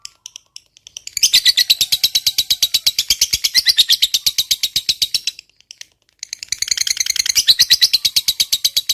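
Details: Lovebird giving the long ngekek trill used to provoke other birds: faint notes at first, then a four-second burst of fast harsh chatter, a one-second gap, and another rapid chattering run.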